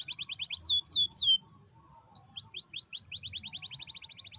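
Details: Canary song used as a lure to make other canaries sing quickly: fast rolling trills of rising whistled notes, a few longer swooping slurs, a short pause, then rapid repeated upswept notes accelerating into a tight trill.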